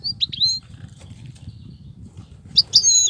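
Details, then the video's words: Wild European goldfinch, described as an excellent wild singer with a 'btbtat' style and unbroken song, giving two short bursts of bright, high twittering notes, one at the start and one at the end, over a low rumbling background. "صوت الحسون البرى:مقنين خلوى ممتاز..بتبتات.. غناء لاينقطع"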